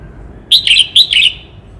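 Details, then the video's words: Cao Bằng red-whiskered bulbul delivers a loud, quick four-note phrase of bright, slurred chirps in two pairs, crisp and clear above a quiet low hum. "Tiếng chim Chào mào hót - Chim chào mào Cao Bằng hót cực hay"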